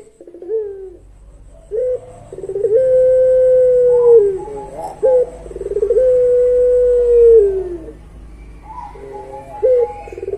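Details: Puter pelung dove with prized long song: rolling guttural onsets leading into extended smooth coos lasting about two seconds each, against a soft low background rumble.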